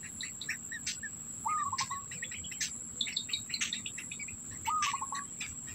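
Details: Black bittern with its young, food held in its mouth. Two matching stuttering calls come about three seconds apart, each a rising start dissolving into rapid clipped pulses, amid heavy small-bird chatter and a steady high insect whine.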